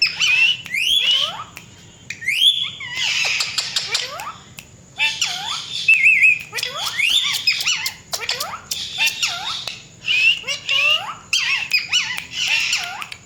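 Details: Talking Indian ringneck parakeet, kept as a pet and said to mimic a cat, pours out dense harsh squawks and chirps with bent, downward-sliding notes and bursts of rapid clicking, almost without pause.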